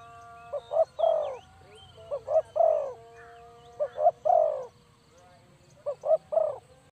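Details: Spotted dove (tekukur) call played as a lure for dove trapping: low three-note coo phrases, two short notes then a longer sliding note, repeated about every one and a half seconds, with thin chirps of other birds behind.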